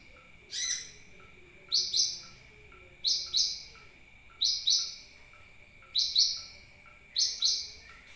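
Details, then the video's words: Lure recording of a sunbird: crisp high two-note chirps repeated at uneven intervals of roughly one to one and a half seconds, backed by a steady high hum and soft lower ticks. "suara pancingan burung kolibri"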